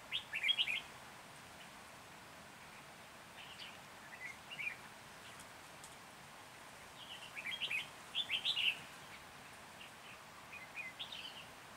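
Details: Red-whiskered bulbul used as a decoy for trapping near Hoa Binh, Vietnam, 14 January 2021: two rich warbled phrases separated by long pauses, with a few softer notes between, over steady outdoor hiss.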